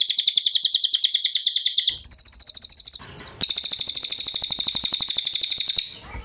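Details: Cililin (velvet-fronted nuthatch) in a clear songbird training recording: an unbroken run of quick, high, rattling trill notes that changes phrase twice and grows louder midway.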